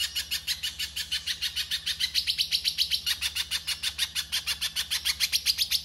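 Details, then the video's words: 'Konslet' song of a pijantung pisang as coarse masteran: very fast, chattering series of shrill, buzzy notes, growing louder after two seconds and keeping a steady rapid rhythm; soft low hum present. "Pijantung pisang KONSLET ! Masteran kasar"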